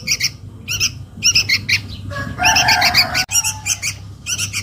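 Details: Young sooty-headed bulbul calling for its mother, a lure recording: short scratchy chirp bursts in quick succession, broken by a louder rough buzzy stretch in the middle, over a steady low hum.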